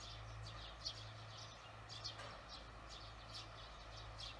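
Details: Barn swallows calling in the evening on 18 June 2020, watched after work: faint, short high chirps that come in loose bursts, with a steady low mechanical hum running underneath the whole time.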